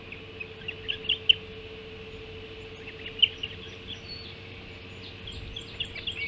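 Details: Ospreys feeding at the Hog Island nest on an early morning, 05.20, 7 July 2016: a few isolated high, sharp chirps spaced seconds apart, with softer notes between and a steady hum throughout.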